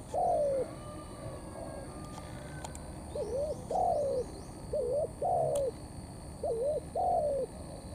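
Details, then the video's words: Spotted dove, a wild-caught bird, giving thổ pha cấn sấm cooing: one falling coo, a pause, then three paired phrases of a short bouncing note and a drawn-out descending coo; soft distant bird chatter. "Bổi Thổ pha Cấn sấm"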